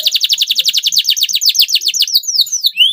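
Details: Song of a yellow male canary in slight breeding condition, singing hard: loud, rolling, downslurred notes repeated quickly for two seconds, ending in a few falling and rising whistled sweeps.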